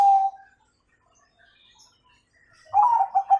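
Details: Zebra dove, a Bangkok-type bird, singing in a fluent style with the 'kung' tone, used as a master recording to train young doves. One low, smooth coo opens, then silence, then a quick run of soft, bubbling coo notes at the end.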